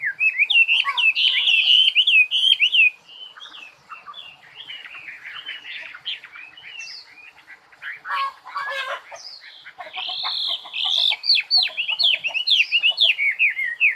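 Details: Extended bird singing: loud rapid whistled warbling, then a quieter stretch of softer twitters and a harsh rasping burst, before bright, quick chirping phrases return.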